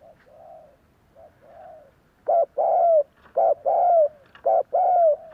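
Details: Spotted Dove cooing as a lure to draw other doves into cooing back: two soft, faint coos open, then three loud pairs, each a short clipped note followed by a longer, downward-sliding coo, roughly one per second.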